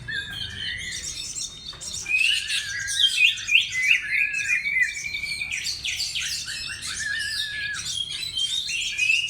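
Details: Oriental magpie-robin song played as a lure, an energetic run of high warbles, buzzy chatter and quick whistled slurs that swells louder midway and keeps going steadily.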